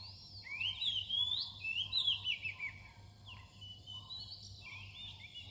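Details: Oriental magpie-robin singing near dawn: varied whistled phrases sliding up and down, some trilled and slurred, delivered in bursts with short pauses, over a low steady hum.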